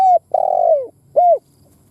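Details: Spotted dove kept as a decoy bird, cooing to stir other doves. A falling coo, then a long throaty coo that trembles and slides down, then a short arched coo, close and clean.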